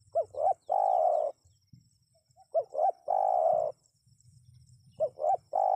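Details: Spotted dove, sounded to get wild birds to respond, giving three full phrases. Each phrase has a pair of short hooked coos, then a long purring croon, roughly every two and a half seconds. Low background rumble is audible.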